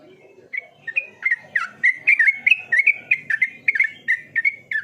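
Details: Yellow-vented bulbul singing a steady string of bubbly, slurred whistled notes, about three per second, rising and falling in a chattering rhythm, against a faint low rumble.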